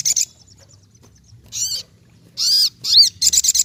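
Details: Ruby-cheeked sunbird in full song: short high buzzy bursts alternating with arched whistled notes and a rapid chattering run at the end.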